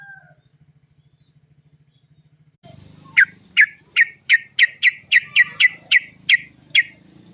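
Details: Sooty-headed bulbul, called trucukan, giving its 'cok cok cok' lure song to encourage other birds to sing: after nearly three seconds of low hum, about a dozen sharp, clipped notes repeat steadily, one every third of a second.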